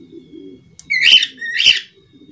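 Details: Budgerigar giving two loud, bright chirps about half a second apart, each a sharp buzzy burst, with soft low murmuring chatter in the background before them.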